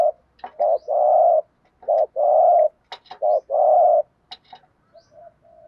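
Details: Spotted dove decoy kept caged to attract wild doves, cooing steadily: short notes each followed by a long level coo, three phrases in a row, with a few sharp clicks and knocks.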